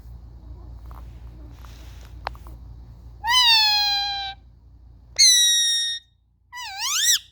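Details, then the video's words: Indian ringneck parrots playing as pets, phone-recorded: three loud, drawn-out, nasal calls in quick succession, the last one swooping up and down. Faint taps come before them. "Indian Ringneck Parrots playing"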